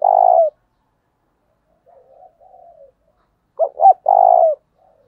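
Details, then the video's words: Loud spotted dove coos meant to lure wild birds: a long burry note, a pause with soft muffled cooing, then a full phrase of two clipped notes leading into a rich drawn-out coo. "tiếng cu gáy thúc căng lửa, mở lên bổi nghe gáy theo cả ngày"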